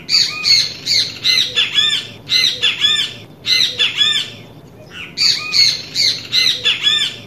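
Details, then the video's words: Great kiskadee (Pitangus sulphuratus) recorded in nature, singing persistently: loud, harsh, strident phrases in bursts of about a second, repeated with short pauses, over a faint low hum. "Som Canto do Pássaro Bem te vi"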